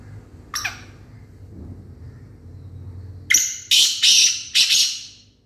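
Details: Black francolin calling: a brief faint harsh note early on, then after a quiet stretch a loud grating phrase of four rasping, buzzy notes in quick succession, over a low steady hum.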